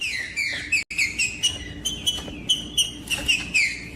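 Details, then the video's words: Green-winged saltator singing, played to warm up and stimulate other saltators: a run of short whistled, slurred phrases, each dropping in pitch, repeated every few tenths of a second with brief pauses, over a faint steady low hum. "MELHOR TRINCA FERRO PARA ESQUENTAR TRINCA FERRO COM TRINCA FERRO CANTANDO"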